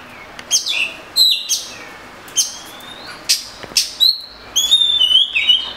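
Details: Oriental magpie-robin giving scattered sharp notes and short whistled slurs, with a thin long whistle and a faster warbled phrase at the end.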